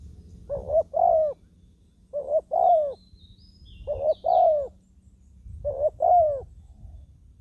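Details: A Spotted dove acting as a ground decoy to lure wild doves, still fighting once caught, repeats its low coo four times, about every 1.8 seconds. Each coo is a brief note, then a longer, falling one.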